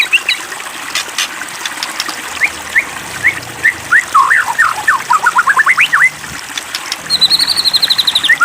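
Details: White-rumped shama song played as a lure to provoke another shama into singing: loud varied whistled phrases, rising and falling notes, then a fast rapid-fire rattling series near the end.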